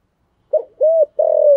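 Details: A spotted dove's 'thổ'-style coo, given to lure wild doves: a short clipped note, then a smooth level hoot, then a longer, slightly wavering coo, all low and mellow against silence.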